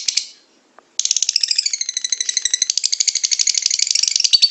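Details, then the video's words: Lovebird singing, meant to prompt caged lovebirds to sing: a short chirp and near silence, then an unbroken, rattling chatter of quick, scratchy notes running to the end. "SUARA BURUNG LOVEBIRD, PASTI BUNYI MENDENGAR VIDEO INI.. LOVEBIRD SINGING"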